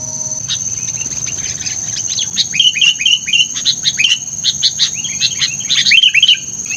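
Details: Chatty sooty-headed bulbul decoy bird: a long, busy stream of rapid chirps and slurred bubbly notes, growing denser toward the end, over a constant thin high-pitched whine.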